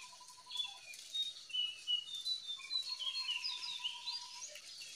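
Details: Racket-tailed treepie (jongkangan) calling in the wild, used as a lure to make captive birds sing: sharp chirps and short whistled notes overlap in an irregular series, while a steady level tone runs underneath and other birds call in the background.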